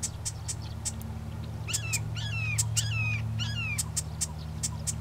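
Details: A marsh wren gives a rapid, dry rattling song of clicks mixed with gurgling downslurred notes over a steady low rumble, on 2 April 2020 at Johnson Log Pond, Coos County, Oregon.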